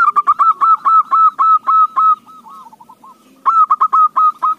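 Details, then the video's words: Zebra dove song used as a lure to make other doves sing: rapid, clipped, nasal cooing notes about five a second, broken by a short softer rolling phrase before the quick run resumes. "KUTUTMU JADI GACOR"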